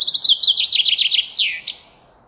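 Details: Common chaffinch song: a loud, fast series of bright chirping notes that descends in steps and ends in a quick flourish, over a quiet background hiss.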